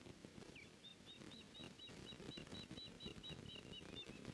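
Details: Nest camera capture of a female osprey denying an intruder access to the nest on 14 May 2019 at 14:13: a fast, steady run of sharp high whistled chirps, about two per second, over wind and rustle.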